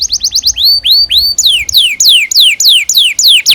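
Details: Canary in full song, recorded as a lure and tutor for young canaries learning to sing: fast high ticks, then rising upslurred notes, then loud repeated whistles sweeping sharply downward, several per second.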